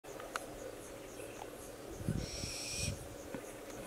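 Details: A young little owl (Athene noctua) at Sinemorets, Bulgaria, in June 2023 gives a brief harsh, wheezy hiss lasting about half a second, with low thumps and handling noise around it.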